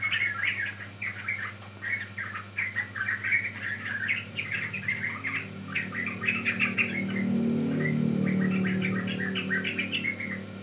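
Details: Juvenile yellow-vented bulbul used as a lure for training birds, giving rapid chattering chirps in loose bursts, with a constant low hum and a soft rumble midway.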